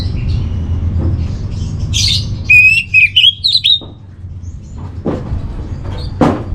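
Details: Master song of an orange-headed thrush used to train and calm kept birds: after scattered chirps, a quick run of bright whistled and rasping notes, then a pause with faint clicks and rustles over a low background hum.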